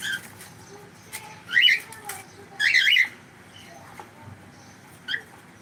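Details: Cockatiel at home, captured on a live stream, gives two loud, harsh, raspy squawks about a second apart, followed by a shorter chirp and a few softer notes over quiet room noise.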